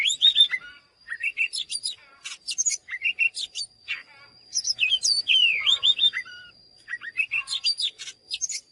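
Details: Oriental magpie-robin singing energetically: a rich run of clear whistled notes, slurred up-and-down phrases and short chirps, sung in bursts with brief pauses, over a faint steady high-pitched tone.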